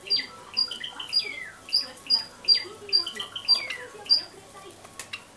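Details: Two pet Java sparrow nestlings, 24 and 26 days old, being fed by a parent near the camera. They give a rapid run of shrill high notes, mixed with downward-sliding whistles, that fades after about four seconds.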